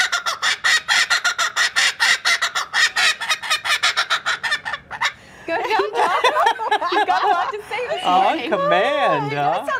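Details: A captive laughing kookaburra from a zoo, prompted by people rolling their R's, gives its territorial call indoors. It opens with a rapid run of dry chuckling notes, then breaks into loud rising and falling hoots. Faint human voices are audible.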